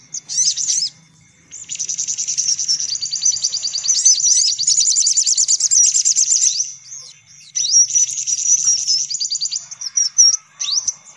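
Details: Lure recording for attracting sunbirds: long bursts of very high, rapid trilling chatter broken by short pauses, the notes packed into sharp descending strokes.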